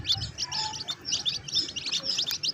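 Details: A cluster of bantam chicks in a backyard flock in Lahore peeping nonstop: high, thin, overlapping cheeps in quick bursts several times a second over a faint low hum.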